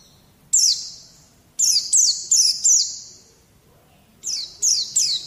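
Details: White-eye song, a training recording for drawing song from young untrained birds: short, high, sharply falling chirps in quick clusters of two to four, separated by brief pauses, with a faint low hum underneath.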